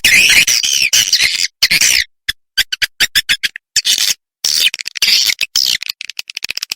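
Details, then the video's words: Roosting lure call of the edible-nest swiftlet, used to draw birds in to roost: bursts of harsh, high chattering trills alternating with quick clicking pulses and short pauses. "SUARA INAP RATU BIRAHI"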